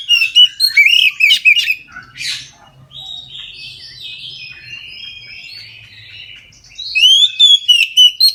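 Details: Oriental magpie-robin singing in full at midday, a song used to prompt other magpie-robins to sing: loud, rapid whistled and slurred phrases repeated several times a second, a quieter warbling stretch in the middle, then strong whistles again.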